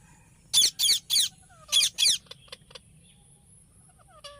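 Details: Ringneck parrot chirping: five loud grating screeches in quick succession, followed by faint short clicks and soft whistled notes.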